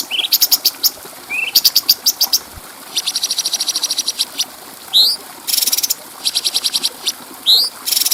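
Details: Bulbul used to tutor other songbirds: rising whistled slurs followed by fast, very high chattering trills in several bursts, plus a harsh broadband rasp midway.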